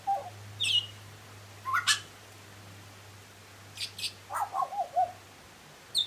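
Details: Butcherbird singing sparse phrases: a short low whistle, a high note, sharp upward sweeps and a closing run of warbled notes, separated by quiet pauses over a faint low hum.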